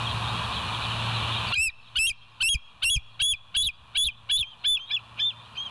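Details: ['Bald eagles on a live nature cam, recorded 20 August 2023 at 14:52; after a stretch of steady hiss, a rapid run of about ten high, thin piping notes, each with a slight squeal, repeated roughly three per second.']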